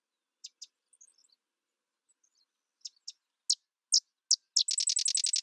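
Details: A sedge wren gives paired high chips, another pair, three sharper spaced notes, then a rapid dry chatter of about a dozen notes.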